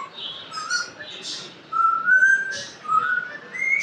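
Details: Pet African grey parrot known for talking, giving a run of clear whistled notes, some rising and sliding upward, in short phrases with brief gaps, indoors and close.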